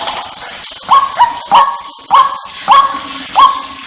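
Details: White-breasted waterhen calling to draw others to gather: after a quiet start, six or seven loud croaking notes come in a steady series, each with an abrupt rising onset, about 0.6 seconds apart.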